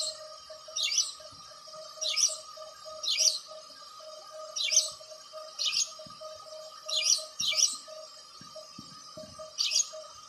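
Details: House sparrow repeating bright, emphatic chirps about once a second, sometimes doubled. A steady pulsing hum and a few soft clicks are audible beneath.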